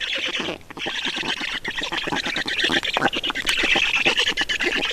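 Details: Feeding time at a Black stork nest in Estonia: rapid, uneven rasping squawks about three each second, briefly dropping out near the start, then a sustained noisy chorus.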